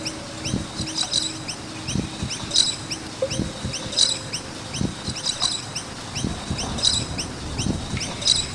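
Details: Repeated high, rising chirps from several noisy miners near a skate park overlap continuously, with sharper bursts every second or so. Low thumping noises sound in the background.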